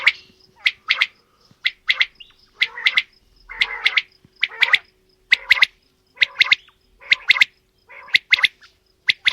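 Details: Quail, male and female, calling in a steady series of crisp two-part grating notes close to once per second, with occasional longer rasping notes and a thin background hum.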